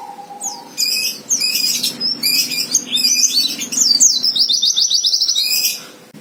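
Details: White-eye fighter song to stir a rival: a short low whistled tone, then clusters of sharp high chirps building into a rapid, evenly repeated high trill, with a faint hum underneath.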